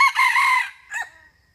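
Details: End of a 'rung ực' crow by a male red junglefowl, a sound used to draw wild junglefowl into traps: a long harsh held phrase, a pause, then a short closing note fading out.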